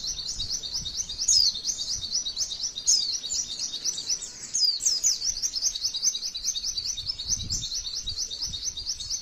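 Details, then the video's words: Female white-eye tutor song in long 'tembakan' style: an unbroken run of rapid, high, repeated chirps, with louder sweeping notes in the first half and a short softer gap before it rolls on evenly. "MASTERAN PLECI TEMBAKAN MANTENAN PANJANGGGGGGG"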